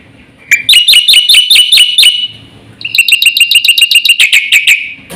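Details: Black-winged starling in energetic full song, used as a lure and model for training other birds: fast runs of loud, sharp, ringing chattered notes repeated several times a second, in two bursts separated by a short pause.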